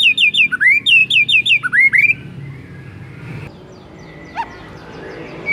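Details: Lure song of a white-rumped shama meant to set other shamas singing: a rapid run of bright repeated whistled notes and rising slurs for about two seconds, then near silence with one faint note.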